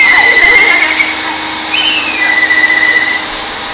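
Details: Black kite perched atop an electric pole amid rice fields, giving a thin, high whistle that slides downward in a drawn-out, quavering whinny, over a steady electrical-sounding hum.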